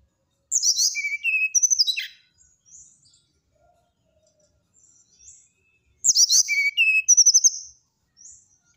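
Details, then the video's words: Brown-chested jungle flycatcher singing in nyuling style: two bursts of high, clear whistled notes stepping downward, each lasting about one and a half seconds and separated by several quiet seconds with faint soft notes. "SATU SATU NYA SRDC NYULING BIKIN EMOSI SRDC TETANGGA,SIKATAN RIMBA DADA COKLAT"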